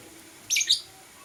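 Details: Morning call from blue and green lovebirds: a single brief, shrill, double-peaked chirp, high and harsh, over a quiet background.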